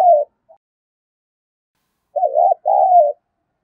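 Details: Spotted dove coo used to get a captive dove cooing fast: a clipped note at the start, a long pause, then one two-part phrase, a warbling coo followed by a smooth, slightly falling drawn-out note.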